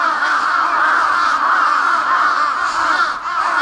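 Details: Large-billed crows fighting caw harshly and continuously in an overlapping, agitated chorus, with calls running into one another without pause.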